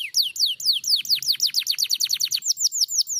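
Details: Canary answering a lure recording, singing a fast run of bright, descending whistled sweeps, repeated about eight times a second, then steadying into evenly spaced high slurred notes toward the end.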